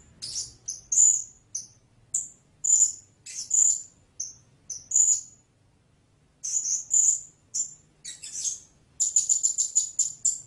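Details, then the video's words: Blue-crowned hanging parrot producing piercing squeaks in ones and twos, a long pause, then bursts of chips ending in a fast, even shrill trill. "เสียงนกหกเล็กปากดำ Blue-Crowned Hanging Parrot Sound"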